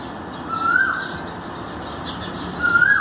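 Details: Asian koel calling on 5 May 2019: two rising whistled notes about two seconds apart, the second louder, each a brief upward-sliding 'ku-oo' over a continuous low background hum.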